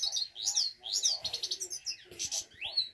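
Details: Himalayan goldfinch singing a lively twittering song of bright, high, rising and falling chirps and sweeping notes, delivered in quick bursts over three seconds with little background sound.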